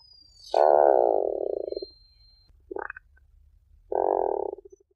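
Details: Tufted puffin giving low, rasping, pulsed groans: a long growl breaking into stuttering pulses, a short rising note, then a second shorter growl trailing off in separate throbs, over a faint steady high whine.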